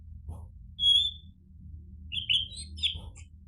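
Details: Orange-headed thrush (anis merah) song for prompting other birds to answer: one clear, level, high whistle, a short pause, then a few quick chattering and warbled notes, with a faint low hum throughout.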